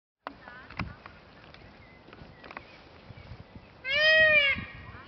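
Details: At Kew Gardens on 25 May 2013, a peacock calling for a mate gives one loud, nasal, wailing scream near the end, after a quiet stretch with faint voices and a few thin bird notes.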